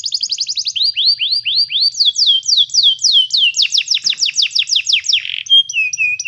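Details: Canary song for teaching a canary to sing: a rapid trill, then successive tours of rising and swooping whistled notes at steady speed, ending in a short buzz and clear whistles.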